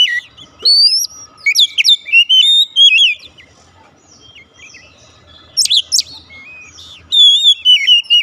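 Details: Oriental magpie-robin song to bring a silent bird into song: lively whistled warbling with abrupt high notes, a quiet gap, then a steep sharp burst and a descending whistled phrase.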